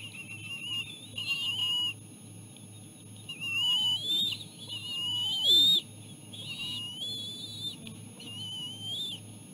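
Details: Feeding time for three bald eagle chicks as the mother brings seal placenta. Drawn-out high whistles waver and rise, mixed with a lower squeal sliding downward, against a continuous low hum.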